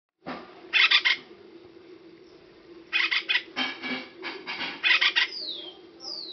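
Acorn Woodpecker giving harsh, nasal calls in quick triplets every two seconds or so, over a steady low hum.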